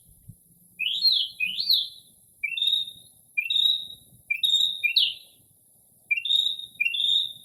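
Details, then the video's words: Night song of a Northern mockingbird in early spring, imitating various bird calls: repeated pairs of bright, slurred high whistles and upswept chirps, phrases every second or so, with faint background hiss and no urban noise. "Northern Mockingbird Mimics Different Bird Calls"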